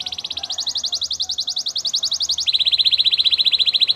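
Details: Canary training song: a fast, high, even trill of repeated notes, about four per second-fraction, stepping up in pitch then dropping to a lower, louder rolling trill.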